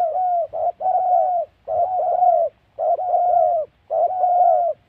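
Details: Close, strong spotted dove call in wild mountain forest at a trapping site in Gia Lai, Vietnam's Central Highlands; four bursts of rich coos, each a short note joined to a long, gently sagging one, roughly every 1.2 seconds.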